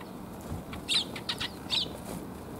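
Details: Sparrows arriving to be fed, recorded 1 January 2022 on the way home. A few quiet, high chirps are mixed with wing flutters over a low background rumble.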